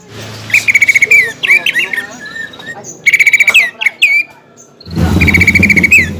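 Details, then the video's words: Greater green leafbird singing a lure song meant to provoke a rival leafbird into fighting, its song full of phrases of other birds' tunes; bright whistled slurs and rapid buzzy trills in bursts, with a low hum underneath. "PANCINGAN CUCAK IJO GACOR FULL BONGKAR ISIAN BIKIN EMOSI CUCAK IJO LAWAN"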